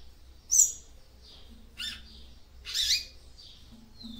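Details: Female double-collared seedeater singing to arouse the male: a sharp high chirp, soft buzzy notes and a louder scratchy burst. A faint low hum sits in the background.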